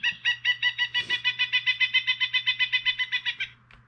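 Pileated Woodpecker calling a loud, ringing series of about twenty quick 'wuk' notes, six per second, steady then trailing off, over a low electrical hum.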